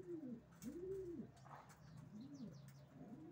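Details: Racing pigeon giving a long, rounded coo followed by a softer one, low and mellow, with faint high chirps in the background.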